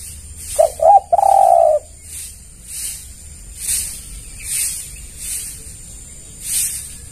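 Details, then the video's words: Spotted dove lure call meant to draw responses from other doves: two brief coos running into a drawn-out low note, then regular hissy pulses about once a second after the bird falls silent. "Pancingan Tekukur Semua Pasti Merespon"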